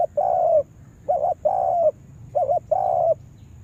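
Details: Spotted dove used as a trapping lure sings its cooing phrase twice, a quick two-part coo leading into a long, slightly descending coo, steady and clear against faint background noise.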